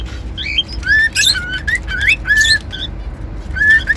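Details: Whistling by a pet cockatiel: level whistled notes and upward slides in two short bursts, mixed with harsh buzzy squawks, then a final clear held note, over low hum.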